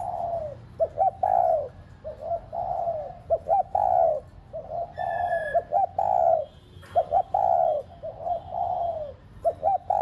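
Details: Spotted dove cooing, played to get pet doves cooing. Steady run of low phrases: twin short notes leading into a long soft coo, about one every two seconds. A brief faint whistled tone is heard midway.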